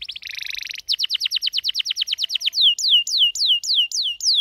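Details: Canary in morning song, very loud: a dense buzzy roll, then quick repeated slurred notes that slow into a series of ringing, high descending whistles spaced about a quarter second apart.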